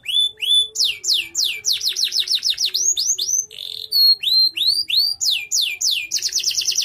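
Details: Canary singing for competition or as a tutor bird: a lively series of quick rising and falling slurred notes, about three per second, broken by a brief buzz and a pure whistle, finishing in a fast trill.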